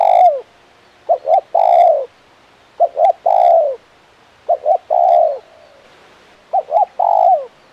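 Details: Spotted dove, a frequently calling bird of the crisp 'kuk 1' style, giving low mellow coo phrases: two short coos then a longer falling croo, repeated about every two seconds, with faint chirps behind.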